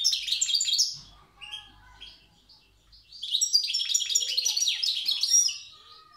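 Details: Tiaret wild European goldfinch performing the old-style song. Fast, liquid twitters and buzzy trills form two bursts separated by a quieter gap of soft notes, with a faint low rumble in the background.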